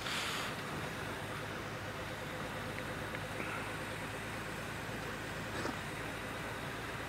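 Steady vehicle engine rumble with broadband noise throughout and no clear animal calls.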